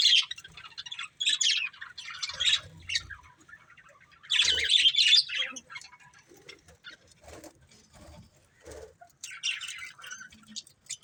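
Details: A budgie breeding pair utters irregular bursts of harsh chattering chirps, the loudest around the middle, separated by long quieter stretches with faint clicks and rustles.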